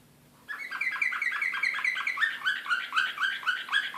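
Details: Serbian Slavujar canary recorded in Belgrade in 2016, excitedly singing after a short quiet start: a fast, even trill of repeated clipped syllables, roughly four per second, sustained to the end over a low background hum.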